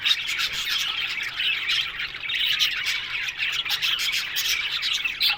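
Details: Colony of aviary budgies from Australia chattering: a steady stream of scratchy, rapid twitters and short squawks from many birds overlapping, bright and high-pitched throughout.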